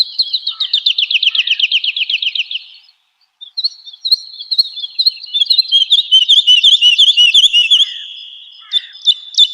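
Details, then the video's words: Woodlark song used to train cage birds: a dense, fast trill of identical notes, a silent gap, then a longer phrase of warbled, repeated looping notes that softens toward the end. "Woodlark Gacor | Suara Merdu, Speed Rapat, Tembakan Tajam"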